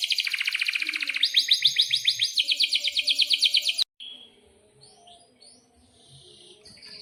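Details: Canary in breeding condition rolling a long, fast pulsed trill for about four seconds, changing pitch midway, then only faint scattered chirps.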